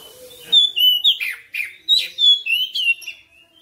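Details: Kacer, the oriental magpie-robin, singing insistently through its full repertoire: a run of loud, bright whistles and falling slurred notes in rapid separate bursts, the song tailing off softly at the end.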